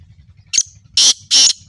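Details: A black francolin, known locally as kala teetar, gives a short sharp note followed by two longer harsh, rasping blasts about a third of a second apart, loud and broad-toned, with a low rumble underneath.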